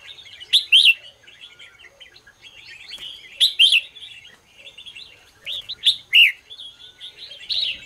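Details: Red-whiskered bulbul singing in the morning: short loud warbled phrases every two to three seconds, bright and slurred, with softer twittering between them.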